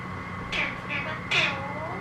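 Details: Talking Alexandrine parakeet giving two harsh, nasal, meow-like utterances, one brief and one longer a second later, over a steady electrical hum in a quiet indoor setting.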